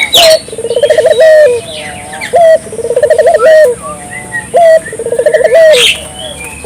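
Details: Ring-necked dove, played to prompt local doves into calling: three repeated phrases, each a short clipped note, then a bubbling trill that rises into a sustained coo, about every two seconds. Other small birds twitter in the background.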